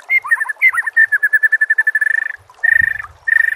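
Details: Captive-training recording of white-rumped shama song: varied twittering notes running into a fast, even trill of repeated chips that accelerates and fades, then resumes as a further rapid trill.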